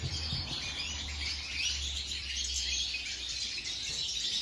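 European goldfinch singing a fast, continuous, tinkling twitter of high liquid trills and buzzy notes, with a low steady hum underneath.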